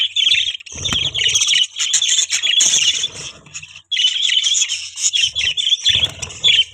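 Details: Budgerigars chirping: long stretches of harsh, buzzy chattering and squawks, with occasional low thuds and a brief pause midway.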